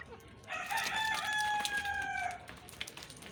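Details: A rooster gives a single drawn-out crow of nearly two seconds. Its clear, banded tones hold steady, then slide slightly downward at the end, over a faint noisy background.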